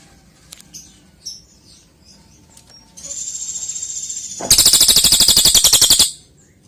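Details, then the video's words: Golden-bellied gerygone singing, a recording used to train other songbirds such as the white-rumped shama and oriental magpie-robin: a thin, sustained high whistle, then a loud, rapid, buzzy trill lasting about a second and a half, with faint chips before it. "Masteran burung cililin cocok untuk Kacer,murai batu"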